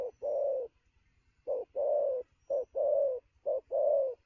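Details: Wild-caught spotted dove in the thổ cooing style, singing fast at noon: low hollow coos, each phrase a short note followed by a longer drawn-out one, repeated three times with brief pauses.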